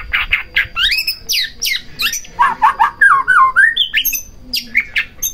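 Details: White-rumped shama song played to provoke other shamas: a rapid stream of varied whistled and slurred notes, some harsh, jumping between pitches at roughly two to three notes per second.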